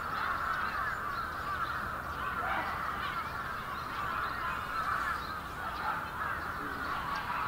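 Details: Bramblings in a large winter flock, Yoyogi Park, Japan, February 2019, producing a thick, even murmur of many chattering voices with scattered brighter notes.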